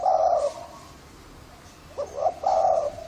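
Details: Spotted dove of the Thai hoarse-voiced type, cooing to attract males and females: a loud husky coo ends one phrase, and a new phrase of two upswept notes leads into another long hoarse coo.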